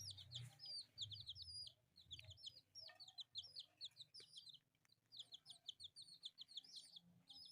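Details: Colourful pet chicks, four together, playing and peeping constantly: shrill, arched chirps in rapid bursts with brief pauses, several birds overlapping, and low thumps in the first seconds.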